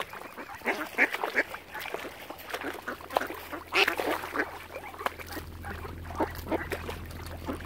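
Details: On Lough Neagh at Oxford Island, Ireland, ducks surround a family of swans and call in scattered, coarse quacks. A few louder honking notes stand out, over a steady low drone.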